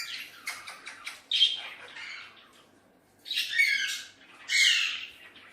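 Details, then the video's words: Hand-tame pet Alexandrine parakeet playing with a mirror in a small room gives harsh, raspy squawks: a burst of short chatter, then two loud drawn-out screeches. "Alexandrine Amazing Talking Parrot"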